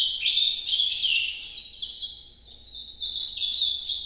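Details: Ultramarine grosbeak in Nordeste-style noturno song, a fast tumbling warble of high notes that dips briefly in the middle, then resumes as steadier, sustained whistled phrases.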